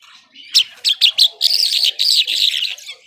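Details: Irani Mashadi jhal skylark in nonstop song: four sharp, clipped high notes in quick succession, then a rapid run of rich buzzy trills that continues without a break to the end.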